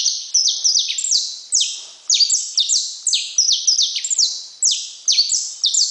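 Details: A saffron finch sings a continuous stream of piercing downslurred notes, grouped in rapid doublets and triplets with brief gaps, high-pitched and clean, with no other sounds.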